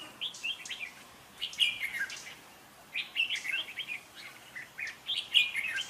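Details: Red-whiskered bulbul competition song used as a decoy for trapping: short bursts of warbled, slurred whistles, three phrases spaced about one and a half seconds apart, over faint background hiss.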